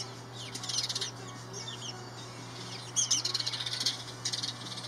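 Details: A pair of house sparrows building a nest, the male preening and showing off, chirp in quick, bright overlapping bursts, with a louder flurry near the end, over a steady low electrical hum.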